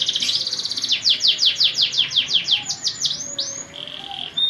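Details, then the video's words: Fighting canary singing a training song: a rapid buzzy opening, then a string of sharp rising sweeps about three per second, ending in smooth whistled slurs and a held note. "Masteran burung Kenari Petarung"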